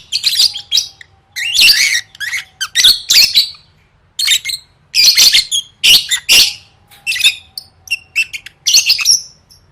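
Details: Lovebird singing for contest practice: repeated bursts of buzzy, screechy chatter with quick high chirps, in phrases of one to two seconds with short gaps.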